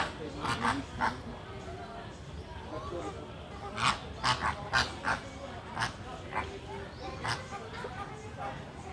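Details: Resting greater flamingos (Phoenicopterus roseus) give short, harsh, grunting honks at irregular intervals, a dozen or so in nine seconds, over a low murmur that may include voices.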